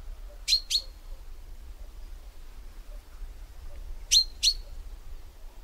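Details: Paired sharp high notes from a common chaffinch, one pair early and a second about three and a half seconds later, with quiet between.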